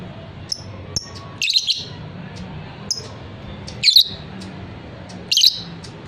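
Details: Thin chirps open, then three loud grating squawk bursts from a fighter lovebird follow about two seconds apart, over a soft low hum.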